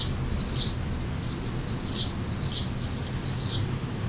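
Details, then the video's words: A mature male Anna's hummingbird sings to announce his territory at a hummingbird feeder deck; shrill scratchy squeaks and buzzy chips run through the clip over a low droning background. "Hummingbird sings and announces"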